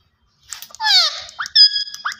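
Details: Green ringneck parakeet talking in a short burst: a long grating note sweeping downward, followed by a steady, level, nasal tone and a brief rising chirp.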